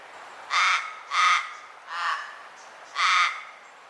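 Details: Common raven uttering four short, harsh caws at roughly even intervals of about three-quarters of a second, the third slightly softer.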